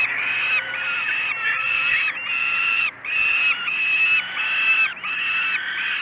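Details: Falcon nestlings at Great Spirit Bluff screaming for food at breakfast on 5 June 2016; harsh, level, drawn-out wails in a quick series, about ninety a minute, separated by short breaks.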